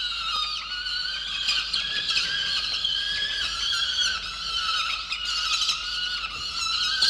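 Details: Peregrine falcon at a nest box on a water tower in Orange, New South Wales, Australia, November 2022, scolding its mate for not bringing breakfast: an unbroken, loud, rough whining wail lasting several seconds, wavering slightly in pitch.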